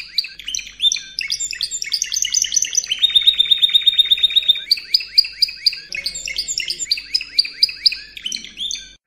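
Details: Spanish Timbrado canary song used as training audio for young canaries: fast rolling trills of high, bright notes, several changing tours, including a long steady even trill in the middle, then quicker chopped phrases.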